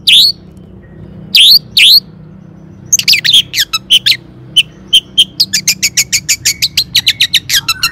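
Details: Long-tailed shrike lure song for provoking rival shrikes to sing, "toet toet" style: three loud downslurred notes, a pause, then an accelerating stream of short high chips and ticks, becoming rapid and steady.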